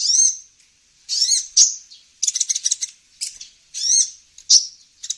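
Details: Kolibri ninja, a sunbird, on a bird-luring recording: high swooping whistles mixed with sharp clicks and a short rapid chattering trill, all thin and high-pitched.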